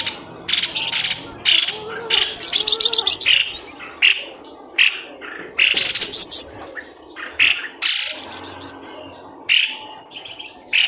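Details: Lively bird chatter used to lure birds out of bushes: a long stream of varied, harsh high chirps and squeaky notes in irregular bursts over about eleven seconds, with faint lower twittering beneath.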